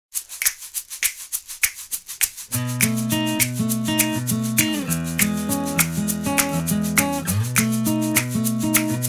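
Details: Plucked acoustic guitar music, first sparse picked notes, then steady strummed chords with a regular beat; no animal sounds.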